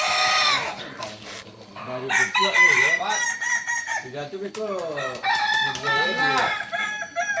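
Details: Several bursts of crowing from Kukuak Balenggek chickens of Solok, each a chain of quick warbling syllables that swoop up and down, following one another almost without pause.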